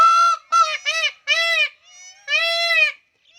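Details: In the Thar, where peacocks are dancing, an Indian peafowl gives five loud, nasal, honking wails in about three seconds, each note briefly arching in pitch, with no other sounds.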